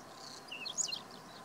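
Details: Male whinchat singing a brief, scratchy phrase of high chirping notes lasting under half a second, against a quiet background.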